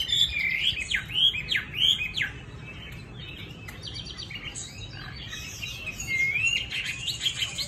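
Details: Chinese hwamei with bright yellow legs and plumage, in Hanoi, Vietnam, singing loud, clear whistled phrases that swoop sharply up and down in a fast burst over the first two seconds, then softer twittering and another whistled run near the end.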